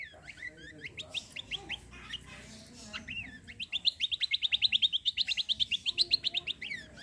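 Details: Vigorous gacor singing by a cucak kombo (kecial kombo), used to stimulate other birds to sing: scattered looping whistles at first, then a long machine-gun run of rapid high chirps, each sharp and evenly spaced.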